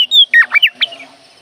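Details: Oriental magpie-robin uttering a clear whistle followed by four quick, harsh, downslurred squawky notes within about a second, then fading out over a faint low hum.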